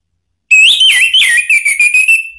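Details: Orange-headed thrush singing a sharp provoking song in Indonesia: a continuous two-second whistled phrase with looping, slurred notes that wavers and then settles into a steady pulsing whistle.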